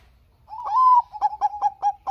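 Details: Zebra dove of the Bangkok type, a frequent singer, used to prompt quiet doves to sing: a smooth drawn-out coo swelling and easing, followed by five rapid, bouncy staccato notes at a steady pace.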